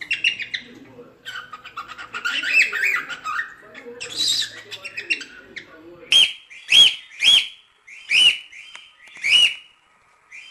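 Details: Cockatiel song played as training to teach chicks to sing: a stretch of busy chattering warbles, then five loud whistled notes, each with a sharp onset, spaced about half a second to a second apart.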